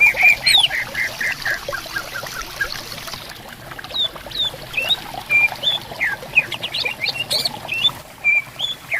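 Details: Singing greater green leafbirds answer one another in riverside bamboo forest: varied short whistles and sharp upslurred notes, some high and squeaky, over a steady trickle of flowing water.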